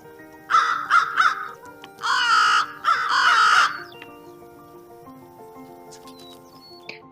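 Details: American crow giving its hoarse, croaking caws, unlike the fish crow's more nasal call: three quick caws, then two longer drawn-out ones, over a soft background of sustained musical tones.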